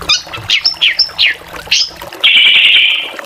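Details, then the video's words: Varied drongo song: five quick downslurred whistled notes with a high flat note mixed in, then a sustained harsh, hissing buzz lasting about a second. "SRIGUNTING VARIASI GACORAN"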